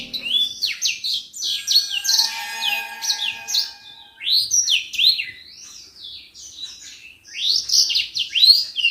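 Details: Common iora, a kept songbird used as a model for training other birds, in loud chattering song: rapid whistled and buzzy notes sliding down and up, phrases in bursts with short pauses, some faint background tones early on.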